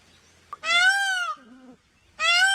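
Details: Peacock and peahen, loud nasal wailing calls with strong stacked harmonics, one long arched call under a second, a short lower note, then another call starting near the end.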